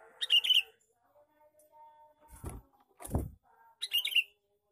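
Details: Male sooty-headed bulbul giving lure calls: two quick bubbly chattering bursts, one at the start and one near the end, separated by two dull low thuds.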